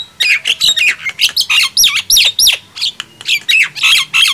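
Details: Two mynas, Nias hill myna and javan myna, competing loudly. Steady stream of raspy calls mixed with clear swooping whistles, roughly three notes per second.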